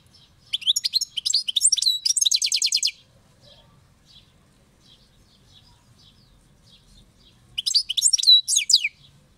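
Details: European goldfinch, a kept bird, singing a long, rapid run of liquid twitters and a fast buzzy rattle for over two seconds, then silence before a second burst of sweet chirping notes.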